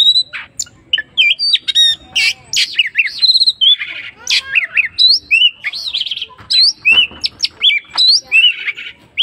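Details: Oriental magpie-robin in lively, full song: a varied run of loud, high whistles, sharp slurred upsweeps and chattering notes, delivered in quick bursts separated by short gaps.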